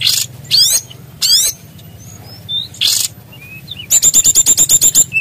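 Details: Small bird singing loudly with a lively, varied song: short buzzy bursts and swept notes, then a fast, even rattling trill of about a dozen high chirps, over steady low background music.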